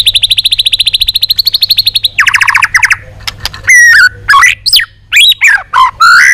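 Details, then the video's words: White-rumped shama giving a long-string song to provoke other shamas: a fast, even trill of repeated high notes for two seconds, a lower rattling run, then loud varied whistled swoops and sharp chips. "Luyện giọng dây dài cho lửa.chòe lửa đập tạch kéo dây hay. ép giọng kích lửa hiệu quả"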